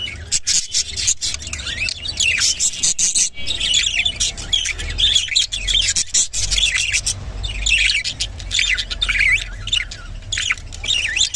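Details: Rainbow budgerigar warbling almost nonstop, dense high scratchy chirps and squeaks with a brief break near the middle, and some low rumbling in the background.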